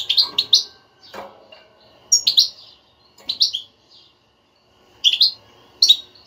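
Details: A European goldfinch's batbata twitter, offered to get a non-singing caged goldfinch singing: repeated clusters of sharp, tinkling chirps come roughly every second, in five bursts separated by brief silences.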